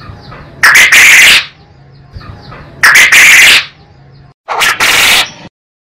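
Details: Quail giving a classic master call: three loud hoarse bursts at roughly two-second intervals, each a few quick stutters running into a longer rough note.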